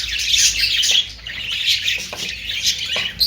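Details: Budgerigars chatter nonstop with bright overlapping squeaks and warbling chirps, short louder peaks recurring about every half second, a steady low hum beneath.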